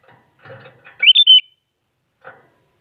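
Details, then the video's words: Very active sooty-headed bulbul singing to provoke rival bulbuls into song: one short bright whistled phrase of three quick rising and level notes, with faint soft rustling sounds before and a brief one after. "Suara Burung Kutilang Paling Aktif Memaksa Lawan Agar Bunyi Jadikan Kutilang Ikut Gacor"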